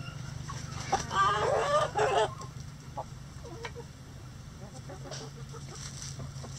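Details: Rooster crowing in a sunny backyard coop holding a mixed flock of egg-laying breeds, bantams and barnyard mixes: a loud, harsh, harmonic crow in two linked parts lasting about a second, then soft clucks from hens and a steady low hum.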